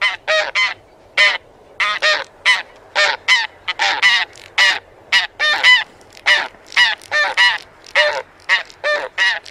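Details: Taiga bean goose (Anser fabalis) honking loudly and continuously: clipped, rough, nasal notes in a busy run, often paired, with barely any pause between bursts.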